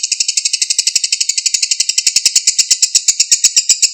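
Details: Ngekek of a lovebird, a long rattling chatter recorded clearly to prompt a silent bird to answer: shrill, clipped notes pouring out rapidly, some slightly louder than others, with no pause.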